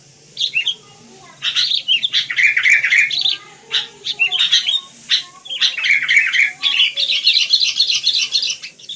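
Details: Busy, lively chirping of wild sooty-headed bulbul: rapid bubbly notes and chattering phrases follow each other quickly, growing denser and more continuous in the second half.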